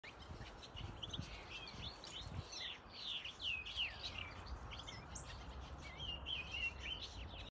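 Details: European goldfinch (Carduelis carduelis) in an outdoor mixed aviary, twittering: quick, liquid, tinkling chirps and slurred whistles tumbling over one another, about three notes a second, over a steady low outdoor rumble.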